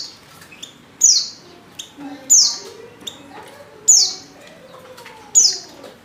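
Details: Female white-eye calling for a male while in heat: bright, high chirps sweeping downward, spaced one to one and a half seconds apart, with soft low background sounds.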